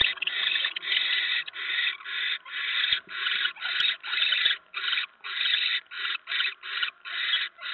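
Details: Mouse brought to a barn owl nest on 10 November 2017 at 7:50 PM. Rasping, hoarse hisses follow one another in a steady chain of about a dozen short bursts, with faint thumps underneath.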